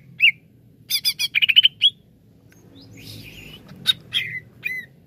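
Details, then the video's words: Cucak ijo, the greater green leafbird, giving a brief rich phrase of harsh chattered notes and bright whistles, then scattered single calls over a low background murmur. "CUCAK IJO LELET BUNYI"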